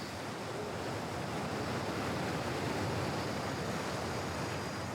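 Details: Steady roar of wind and surf-like rushing noise fills the recording throughout, with no animal voice heard.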